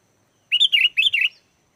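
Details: Lively sooty-headed bulbul song played to provoke replies from wild bulbuls: four rolling, warbled notes in a rapid burst, slightly lower and fuller, over silence.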